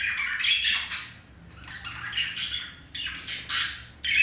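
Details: Courting male budgerigar directing its call at a female companion: rasping squawks mixed with gritty chatter, delivered in repeated bursts with short quiet stretches between, no other sounds.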